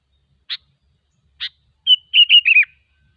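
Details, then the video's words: Wild sooty-headed bulbul gives two spaced sharp notes, then a rapid run of liquid, whistled warbles wavering and dropping slightly in pitch; clean, quiet background. "suara burung kutilang ASLI ALAM LIAR"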